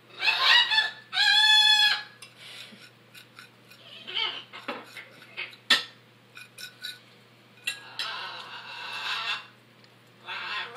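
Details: Macaws, one of them acting aggressively: loud harsh squawks, then a drawn-out ringing squeal lasting about a second, followed by scattered clicks and further raspy calls at irregular intervals.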